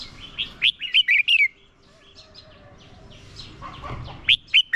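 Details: Decoy red-whiskered bulbul fighting song aimed at drawing wild birds: a quick phrase of sharp whistled notes and falling slurs, then near quiet with faint distant chirps, ending with three short whistles.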